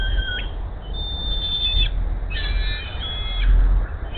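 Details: Bald eagle mother at the Hays nest calling while the male brings her a rat: a few long, thin, high notes with a falling squeal at the start, set against heavy low background rumble.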